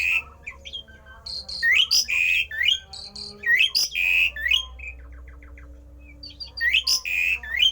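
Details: Unusual rare song of a Javan pied starling meant to draw other starlings into song: busy phrases of rising slurs, high bursts and held whistles, a pause with soft ticking notes, then the phrase again.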